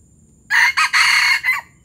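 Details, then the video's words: Ayam hutan (junglefowl) of Palembang, gerabas crow: a rapid harsh crow in four segments, the third drawn out and the last dropping in pitch, over a soft low hum. "Ayam hutan palembang gerabas gerabas"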